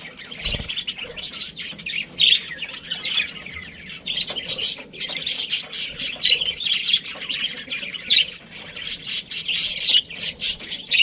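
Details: Budgies in a breeding colony keep up a continuous scratchy warble of short chirps, a brief thump early on, then evenly spaced buzzy notes toward the end.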